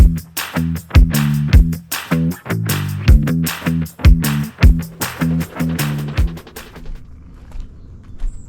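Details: Plucked guitar and bass music beating in a steady rhythm, fading out near the end; no animal is heard.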